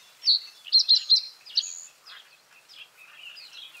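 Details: Reed bunting phrase of a lead note and three rapid, evenly spaced high chips ending in a brief flourish, with quieter buzzy chatter of other birds continuing afterwards.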